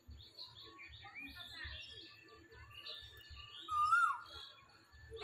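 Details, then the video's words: Asian koel calling in spring while perched in a tree; one loud, clear whistled note, rising slightly and then falling, near the four-second mark, over faint chirps of other birds and a low, steady rumble. "বসন্তের কোকিল পাখি গাছে বসে ডাকাডাকি"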